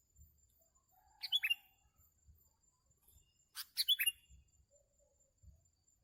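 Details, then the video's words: Sooty-headed bulbul during a trapping outing makes two quick phrases of three or four bright, descending chirps. Faint low thuds sound in the background. "MIKAT BURUNG KUTILANG SERU.."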